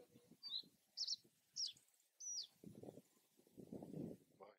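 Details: Male Reed Bunting of the subspecies Schoeniclus schoeniclus schoeniclus from Germany singing four short, high, sharply dropping notes, each about half a second apart, followed by low murmuring human speech.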